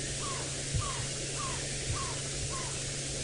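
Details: A tiny African barred owlet, a daytime-calling owl, seen during a sunset safari drive on November 25, 2017, Djuma Game Reserve, Sabi Sand, South Africa, calls repeatedly: a run of five short down-slurred mid-pitched notes about every half second, over steady low engine hum.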